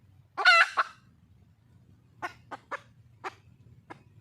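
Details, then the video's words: Red junglefowl hen in the wild seeking a mate: one loud, harsh, rasping cry followed by a pause and then a few scattered, softer clucks at uneven intervals. "le bruit d'une poule sauvage,เสียงไก่ป่าร้องหาถู่หาตัวผู้,ສຽງໄກ່ປ່າຮ້ອງຫາຄູ່ຮັກ, poj qaib qus see"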